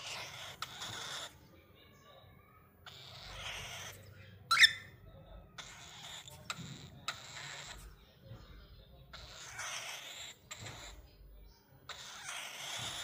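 An angry cockatiel gives repeated harsh, breathy hisses with one brief sharp screech.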